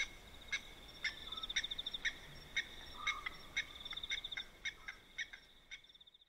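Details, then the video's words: Blacksmith lapwings call at night by a dam in Manyeleti Game Reserve, South Africa, with sharp, metallic 'tink' notes about two per second, unevenly spaced, like a hammer on an anvil, and a faint high insect-like trill behind. "Blacksmith Lapwing Call & Sounds"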